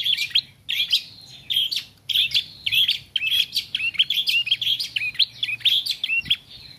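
A young Bar-winged Prinia practises its song: a rambling, uneven stream of high, scratchy chirps and twitters, several notes a second, over a faint low hum.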